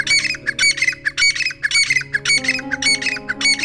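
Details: Grey Francolin, known locally as dakkni teetar, kept and bred in Pakistani and Indian villages: harsh, grating squawks repeated quickly in clustered bursts over steady background music.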